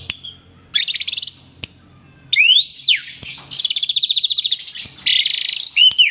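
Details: Asian pied starling pumping and nodding during lively song; harsh raspy bursts, a long upward-sweeping whistle that arches down, pulsing rattled chatter and a final curved whistle.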